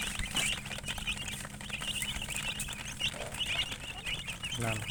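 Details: Chicken chirping near a hen, sounding as scattered high, thin peeps in quick irregular clusters over steady low background hum, with a brief lower, buzzy sound near the end.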